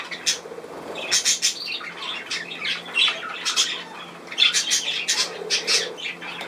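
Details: Budgerigars chattering together indoors: dense, overlapping bursts of scratchy squawks and warbled chirps, with louder clusters around the second and fifth seconds and a soft low murmur beneath.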